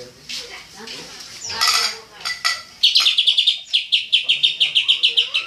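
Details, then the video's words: Greater green leafbird (cucak ijo) singing: varied harsh and whistled notes at first, then a long run of crisp, evenly repeated high chip notes, several each second. "suara burung cucak ijo full TEMBAKAN"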